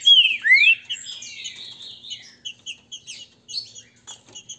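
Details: Captive Green-winged saltator duel of grego mole and boiadeiro song styles, meant to provoke singing; opens with two strong swooping whistles, then fainter rapid chips and short notes repeated at a steady pace.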